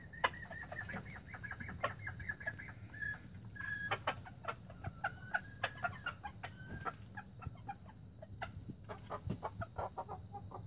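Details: Young red junglefowl, recorded in 2019: thin, squeaky drawn-out tones waver and slide along a high pitch for several seconds, mixed with many short sharp clucks and ticking notes over a low background rumble.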